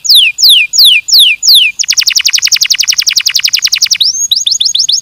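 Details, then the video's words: Canary song used to encourage singing: five loud descending whistled slurs, then a long rapid trill of repeated high notes, a rising whistle, and a quick series of short chirps. "Estimular o som da noz tranquila"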